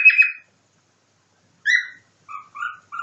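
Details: Cockatiel imitating a nightingale: a buzzy chirp, a clear rising whistle, then three softer, lower, flute-like notes in quick succession.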